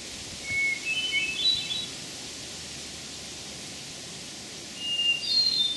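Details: Hermit Thrush singing in Memorial Forest, Sudbury, Massachusetts, on June 11, 2012: two clear, flute-like phrases, each opening on a held low whistle and then climbing into quicker, higher notes, separated by several seconds of quiet, with faint background hiss.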